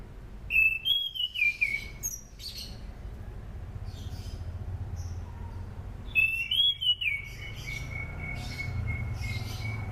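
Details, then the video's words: Anis cendana thrush song used for luring birds in training: two bursts of loud whistled phrases, each sliding downward, separated by quieter twittering, over a low steady rumble. "SUARA ASLI ANIS CENDANA ..COCOK UTK PANCINGAN AM,AK DAN AC"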